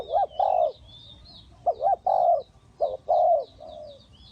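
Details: Spotted dove calling as a trapping decoy, Ninh Thuận: paired mellow coos, a short rising note then a drawn-out falling one, repeated in three phrases, with small birds twittering faintly overhead.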